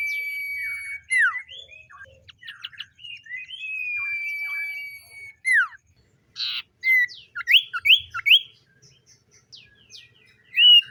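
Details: Morning song of a common iora: long level whistles, sharp downward slurs and clusters of rapid chirps, with loud rising notes near the end.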